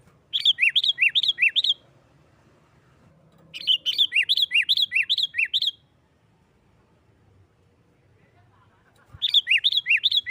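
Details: Energetic 'nggaruda' fighting song of a sooty-headed bulbul, meant to stir rival bulbuls into song: three bursts of rapid, evenly paced arched whistles alternating between two pitches, separated by quiet gaps of a couple of seconds.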